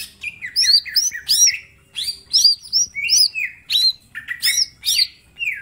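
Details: Mini green leafbird in energetic full-shot song, used as a master for training other birds: rapid varied phrases of sharp whistles, chirps and descending slurs, delivered in bursts roughly every half second with brief gaps.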